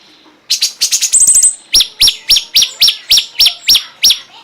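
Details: Cungkok singing on a tutor recording for songbirds: a quick high chatter and a thin trill, then a regular series of sharp, slurred notes about three per second.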